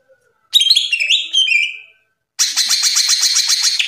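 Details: Greater green leafbird kept as a cage bird, giving a bright descending warbled phrase of slurred whistles followed by a fast buzzy trill.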